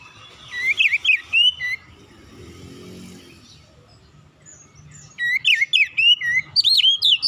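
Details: Oriental magpie-robin lure song for untrained magpie-robins: a fast burst of wavy whistled notes, a pause with a low rumble like a passing vehicle, then a longer, louder run of twisting whistles.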